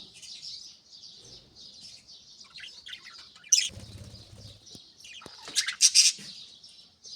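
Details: Soft morning warbling of budgerigars, a continuous high scratchy murmur interrupted by a brief low fluttering rush like wings, then sharper loud chirps near the end.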